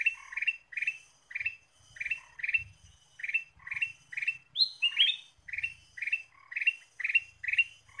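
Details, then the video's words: Ruby-throated bulbul (kutilang emas) giving lively bright, bubbly chirped phrases about every half second, with a faint steady high hiss behind. "PIKAT KUTILANG EMAS GACOR"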